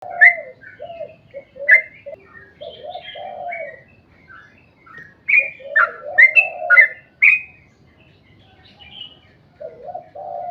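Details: Sooty-headed bulbul singing a long, rapid 'ropel panjang' style song, played to lure other bulbuls into singing; bursts of sharp, bright chirps alternate with lower, mellow warbled phrases, separated by short pauses.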